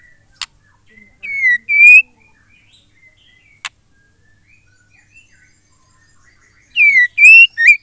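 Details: Female white-rumped shama singing to stir males into song. A sharp click, then a short pair of clear whistles, the second rising. After a pause with faint soft notes, another click precedes a fuller four-note whistled phrase.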